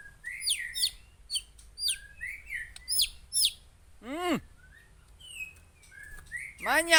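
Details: Aceh white-rumped shama song: varied whistled and chirping phrases with quick rising and falling notes, interrupted twice by a loud downward-swept squeak.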